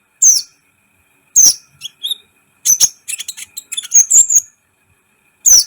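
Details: Sunbird known as kolibri ninja singing actively for a training recording meant to excite other birds. Loud, very high chip notes spaced a second apart, then a rapid stuttering run of thin twittering notes.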